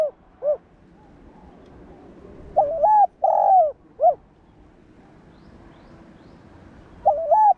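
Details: Spotted dove cooing to train and provoke caged doves: a lone falling note ends one phrase, then after a pause a full phrase of wavering coo, long coo and short drop, with another phrase starting at the end.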